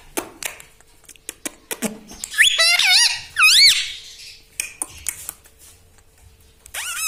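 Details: Talking parrot kept as a pet indoors, giving scattered clicks and ticks, then two loud wavering harmonic phrases in the middle and a final rising note.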